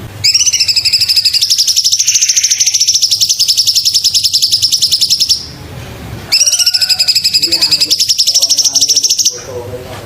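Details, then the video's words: Sumatran leafbird used as a tutor singer: two long, rapid trills of high, piercing repeated notes. The first lasts about five seconds and the second about three, with a second of near-silence between them. "Masteran cucak cungkok"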